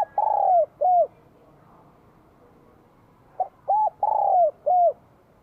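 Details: Spotted dove singing its bell-voiced song in Vietnam in spring 2023. The end of one phrase is followed by a gap of about two seconds, then a complete four-part coo phrase with a long descending middle note.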